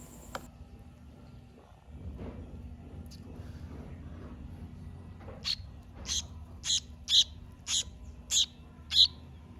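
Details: Weak, hand-fed young Sooty-headed Bulbul (Pycnonotus aurigaster), recovering and begging for food again, gives a run of seven sharp, high chirps, about two per second, over a low steady hum.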